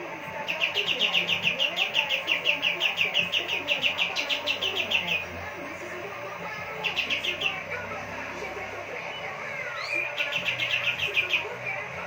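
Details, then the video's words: Pied triller (kapas tembak) singing persistently, used as a tutor for songbirds; a long rapid trill of sharp repeated notes, then two shorter trill bursts, over a faint background murmur. "kapas tembak gacor"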